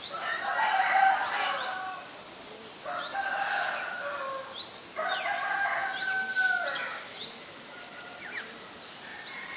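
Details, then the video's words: Common myna in Ubon Ratchathani, Thailand, 7 May 2022, recorded on a Nikon P1000. It gives loud, raspy, harmonic call phrases in three bursts of about two seconds, mixed with gurgling notes and brief high chirps from other birds. "นกเอี้ยงสาริกา (Common Myna)"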